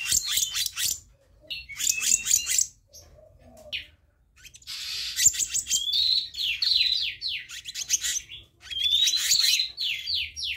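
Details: Black-naped monarch lure recording with long runs of rapid rasping, scolding notes. The bursts are mixed with short rising buzzy whistles, and there is a brief pause near the start.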